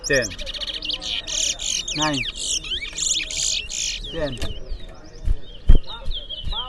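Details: A Large-billed Seed-Finch (towa towa) in a singing competition in Berbice gives a rapid, varied song of bright whistles, trills and sweeping notes, almost nonstop, while its notes are counted aloud amid low murmuring voices.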